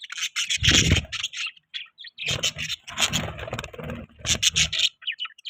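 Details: Pet budgerigar chirping in loud, scratchy bursts of chatter: a dense burst early on, a gap, then two longer runs of mixed chirps and rasping notes, with low rustling underneath.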